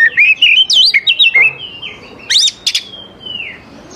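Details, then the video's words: Oriental magpie-robin song for luring young forest birds, a lively warbled run of twisting whistles, then a sharp burst and one long level whistle sliding downward at the end. "KACER GACOR SANGAT AMPUH UNTUK MEMANCING KACER MUDA HUTAN BIAR IKUT NYAUT DAN LANGSUNG GACOR"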